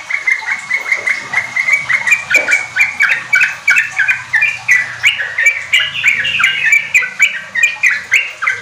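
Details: Energetic Sooty-headed bulbul song meant to coax raw caged trucuk in a group into riwik and ropel singing. Evenly paced chirps, about three a second, shifting into stepped, bubbly phrases.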